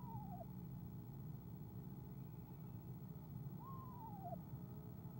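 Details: Soft owl trills as the mate comes to the nest, filmed by nest camera on 17 February 2015: two wavering, tremulous notes, each rising briefly and then sliding downward, separated by a few seconds of low background hum.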